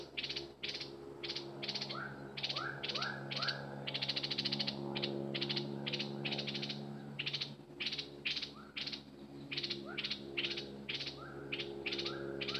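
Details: Decoy bulbul gives rapid repeated buzzy chatter bursts with occasional rising whistled slurs over a steady low background hum.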